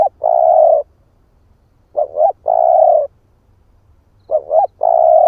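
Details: Lure cooing of a male spotted dove: two quick rising notes and then a long held coo, repeated three times at steady intervals against a quiet low rumble.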